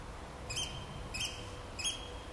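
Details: Eurasian oystercatcher, 2015: three loud, sharp, high piping 'kleep' notes, evenly spaced about two-thirds of a second apart, each short and ringing over a low steady background rumble.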